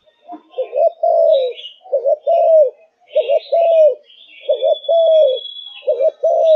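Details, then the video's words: Spotted dove of Malaysian stock, a kept bird in peak singing form, cooing a steady run of six two-part phrases: a short double coo, then a longer, even, slightly falling note, about a second apart. Faint higher chirps sound behind it. "Cu Gáy Malaysia Căng Lửa, Chơi Từ Sáng Tới Tối"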